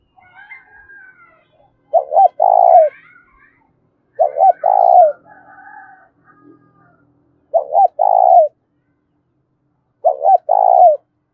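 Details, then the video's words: Spotted dove calling loudly and ringingly in a fighting or challenge bout, giving low hollow coos in short two- or three-note phrases roughly every two to three seconds, with faint higher chirps between phrases. "Tiếng chim cu gáy thúc bổi rất to và vang/ cu gáy thúc đấu"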